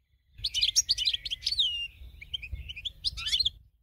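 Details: A European goldfinch (Carduelis carduelis) sings a fast, bright, continuous run of high liquid twitters, tinkling notes and short buzzy trills over a faint low hum, a song for training other birds.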